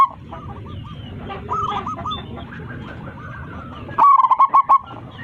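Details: Local zebra dove, perched high and calling its flock, gives one loud fast run of clipped, bubbling coo notes near the end. Softer, more distant dove cooing fills the earlier seconds.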